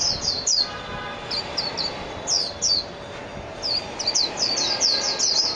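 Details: Mejiro (Japanese white-eye) song: short clusters of sharp, high chirps that build into a denser run of twittering notes near the end.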